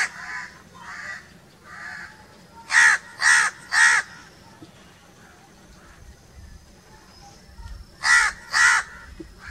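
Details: Crow cawing: three softer, distant-sounding caws, then a loud run of three rasping caws, a quiet gap, and two more loud caws at the end.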